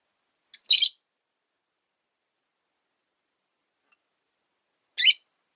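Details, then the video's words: Caged rosy-faced lovebirds, three sharing one cage indoors, give two separate harsh high chirps about four seconds apart, with long silence between. "Lovebird Chirping Sounds"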